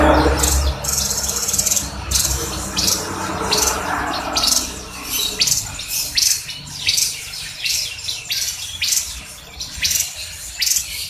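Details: Javan grey-throated white-eye recording used to train other birds: bursts of high, sharp chirps and twitters repeated irregularly, with low background hum.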